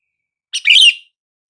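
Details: A single sooty-headed bulbul call, used to prompt silent bulbuls to answer: one brief rich chirped phrase, a quick lead note followed by a fuller warbled, falling slur, with no other sounds.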